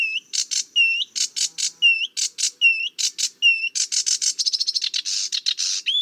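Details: Sedge warbler, a favourite of marshy scrub with reeds, brambles and bushes, singing a lively medley of scratchy notes and rising whistled slurs, then speeding into a dense chattering trill.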